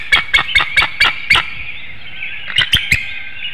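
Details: Female bald eagle incubating eggs at a nest webcam in Hanover, Pennsylvania, about 6:38 AM on 25 March 2019, calling for her mate to come for a nest changeover: six sharp, high staccato notes, a pause, then three more.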